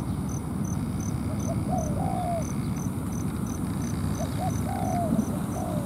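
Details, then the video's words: Two soft, low coos from a spotted dove at a ground trap with a decoy, a wild bird that came down to the ground around midday, each a few short hoots and a longer slurred note, over steady insect ticks and heavy low rumble. "Bẫy chim cu gáy mồi đất"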